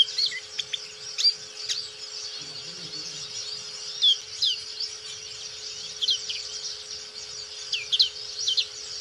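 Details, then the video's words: Black-capped white-eye singing actively: brief, high, sweet chirps and short twittered phrases every couple of seconds, over a steady high background hiss and a low electrical hum. "Pleci Black Capped | Blackcap Gacor"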